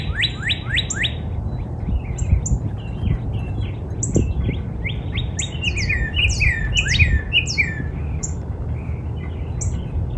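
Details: Springtime backyard northern cardinal: four quick slurred whistles open, followed by a varied mix of sweeping and twisting whistled phrases, with faint high chips from other birds above a low rumble.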